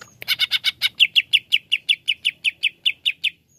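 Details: Greater green leafbird, kept as a cage bird, singing a rapid run of about twenty clipped, bright notes, roughly five each second, steady and even, loud and clear in a quiet room.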